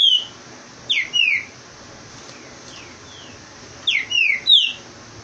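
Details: Green-winged saltator from Rio de Janeiro, fast song aimed at chasing off another bird: paired downslurred whistles, a softer distant answering whistle between, then another quick triple of clear whistled notes.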